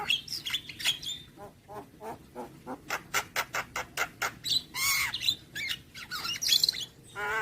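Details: Javan myna singing a steady series of harsh, rasping clicks repeated about three times a second, breaking into louder buzzy squawks and a whistled note near the end.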